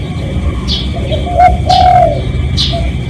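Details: Spotted dove cooing as a real lure recording for drawing other doves: a brief soft coo followed by a longer drawn-out one, overlaid by loud quick downward chirps from other birds.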